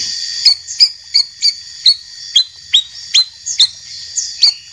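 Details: White-rumped shama, a champion bird and a young speckled bird, heard in a recording made for tutoring caged shamas. Sharp whistled chirps, each with a falling tail, repeat about twice a second over a steady high hiss.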